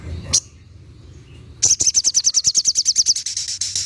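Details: Spiderhunter (sogok ontong) giving its 'tembakan' call, a type prized for training competition songbirds: one sharp high note, then a rapid burst of piercing, clipped high notes, about eight per second, running steadily for over two seconds.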